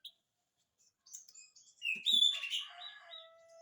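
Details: Oriental magpie-robin singing to draw a reply from lazy magpie-robins: quieter, jumbled chirps and whistles building to a louder warbled tangle, then a trailing thin whistle.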